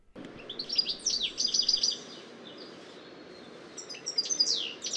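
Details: European Goldfinch song, with its call woven in: restless, hurried twittering and tinkling trills with big, seemingly random jumps between high notes, in two bursts over a low background hiss.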